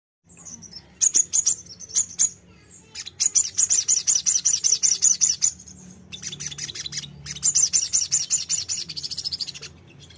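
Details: Bulbul (sogon) singing to stir a fighter bird into answering: bursts of rapid, high, sharp chips repeated about two to three per second, broken by short pauses and scratchy notes, with a faint low hum underneath.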